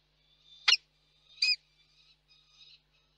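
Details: Peregrine falcon at a nest in Reda, Poland, during a pair's meeting after a storm, evening of 1 July 2022; two sharp, harsh notes about a second apart, followed by fainter scratchy sounds.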